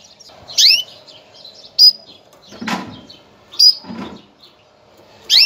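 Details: Mating call of a female canary, given to get males ready for breeding: four high sweeping chirps broken by dull knocking thuds, over a low steady hum.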